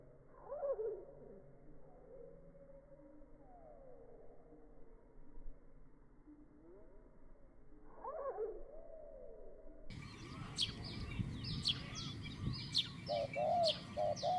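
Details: Spotted dove calling to lure a wild bird, in a medium-pitched coo style. Soft, low, repeated cooing phrases with louder bursts near the start and around eight seconds, then a noisy stretch with crackling and higher chirps.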